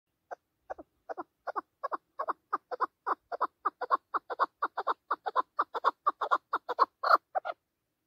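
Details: Chukar partridge calling in the mountains: a steady run of short, hoarse chuk notes, about two each second, building slightly louder toward the end, with no other clear sounds.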